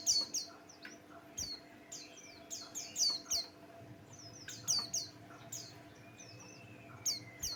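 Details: Song of a pleci Buxtoni white-eye, played to stir other birds into song: clusters of piercing, descending chirps repeated in quick bursts, one long thin whistle sliding downward near the end, low background hum.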